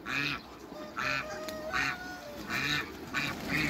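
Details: Hybrid Cayuga duck with female Muscovy ducks at their meeting: clear, buzzy nasal quacks about once a second, each short and rasping, with a faint tonal whine between them.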